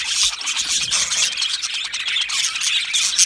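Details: Australian budgerigar colony kept in an aviary, giving a busy, constant stream of thin, high warbles and sharp chirps from many birds at once, with a brief louder squeak near the end.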